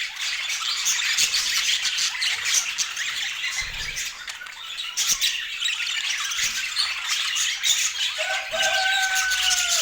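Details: A group of feeding budgerigars keeps up rapid, raspy warbling chirps with scattered clicks; near the end a smooth whistled tone glides slowly downward over the chatter.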